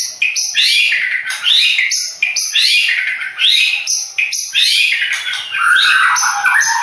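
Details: Madura long-tailed shrike, praised as king of competitions, singing a loud, continuous jumble of harsh rasping notes and slurred warbles, steady with uneven rhythm.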